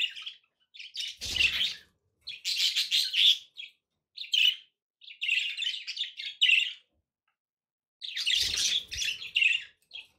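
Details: Loud bursts of bubbling budgerigar warble and squeaky chirps from pet birds, separated by short pauses, with a thumping noise at the start of two bursts.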